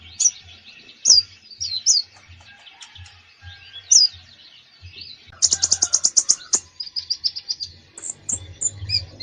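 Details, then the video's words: Common iora (konin) singing vigorously in full repertoire, used as a training recording for reluctant young birds. Sharp high whistled notes come in short bursts, then a fast rattling run of clipped chirps and a twittering series. "KONIN GACOR FULL ISIAN"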